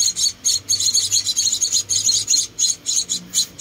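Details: Hand-fed Munia nestlings, four rescued chicks: a short burst of fast, shrill, squeaky chirps, roughly four a second, slightly uneven in spacing.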